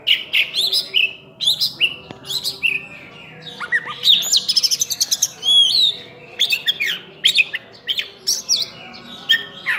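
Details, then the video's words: Kacer singing hard with full isian fill-ins: dense bursts of varied whistles, chirps and fast trills, brief pauses between phrases, then a clear ringing upslurred whistle midway, over a soft steady background hum. "Kacer Full Isian"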